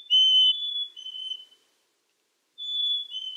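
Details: Black-capped chickadee whistling two clean descending two-note phrases, a higher tone sliding to a lower sustained one, separated by about a second of silence.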